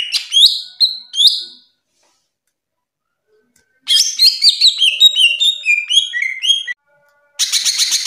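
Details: Caged greater green leafbird sings in loud bursts: a short run of whistled slurs, a silent gap of about two seconds, then a longer rapid jumble of high chirps and whistles, and a final buzzy burst.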